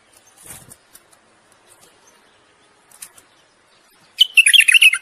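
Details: A bulbul gives a single bright, rich, bubbling warbled phrase near the end, a mating song to stimulate the female; faint clicks and rustles come before it.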